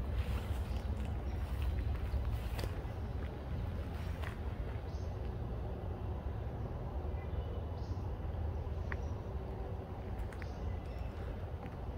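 Steady low rumble of an engine or boat with broadband noise, and no animal calls stand out.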